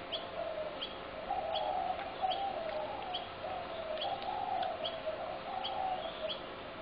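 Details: Several spotted doves in a Brooklyn Park backyard, being fed by a neighbour on 6 November 2016, utter steady low mellow cooing phrases in overlapping runs, with faint high chirps from other small birds behind.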